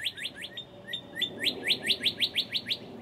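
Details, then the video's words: Close-up early-morning song of a Northern cardinal recorded in March 2011: a run of quick downslurred whistles, a couple of longer level notes, then rapid loud slurred notes repeated about three per second. "Northern Cardinal Singing Close-up Finale with Thunderstorm"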